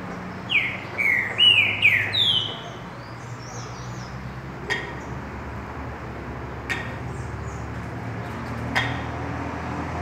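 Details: Forest-type green-winged saltator singing: a short burst of loud, rich whistled phrases, sliding and slurred, followed by a few sharp clicks over a low steady hum.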